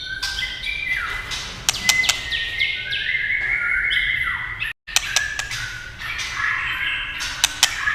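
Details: White-rumped shama singing in response to tail-tapping clacks: sustained whistled tones and falling slurs over a noisier background, punctuated by sharp clicks, with a brief dropout midway.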